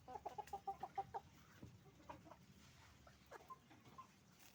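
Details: Hens and roosters on a chicken farm: a quick run of about eight even clucks at the start, then scattered softer clucks and murmurs from the flock at a distance.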